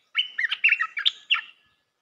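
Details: Training song of a red-whiskered bulbul for young birds, a rapid string of about six rich, warbling whistled notes rising and falling, ending with a short bright flourish, on a quiet background.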